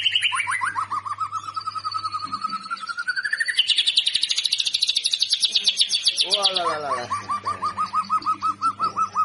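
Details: White-rumped shama (murai batu) lure song, played to prompt captive birds to sing, described as clear, with rapid bursts and varied fill-ins: sweeping whistles dropping into a level tone, a long fast buzzy trill, then quick down-slurred notes repeated, over low hum.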